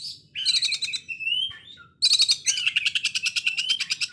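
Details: Oriental magpie-robin producing loud 'konslet' rough rapid fire like a sewing machine: a clicking rattle and sliding whistle, then a long fast machine-gun series of about twenty pulses.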